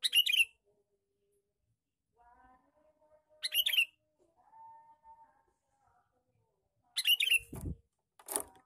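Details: Lure call of a male sooty-headed bulbul: repeated loud, scratchy chatter bursts every three to four seconds, with quiet whistles in between and a sharp thump and rattle near the end.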